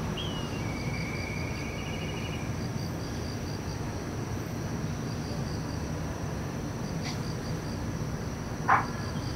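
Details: Perched on a rooftop in December 2023, a black kite gives a short, sharp whistle that drops into a fluttering, quavering trill lasting about two seconds. Rhythmic high pulsing, low rumble and a later click are also heard.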